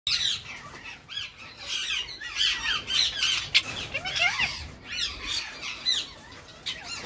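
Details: Pet Indian ringneck parakeets, a Grey Edged male with his long-time female partner, courting in spring; dense rapid chattering with squawks and warbled notes, several overlapping sharp calls throughout.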